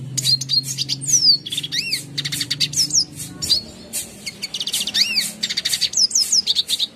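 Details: Clear tutor song of a red siskin for caged birds: a rapid jumble of high chirps, rising and falling whistled loops and trills, continuing for seven seconds over faint low hum.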